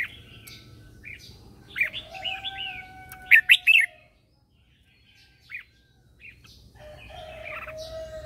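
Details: Morning singing of a red-whiskered bulbul used as a lure to call wild birds: warbled phrases building to a loud run of quick notes, a steady low whistled tone beneath, then near silence and scattered chirps.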